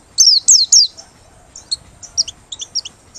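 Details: White-eye from Merapi singing with open beak, used as a lure: three loud, high falling notes in quick succession, followed by soft, scattered twittering chips.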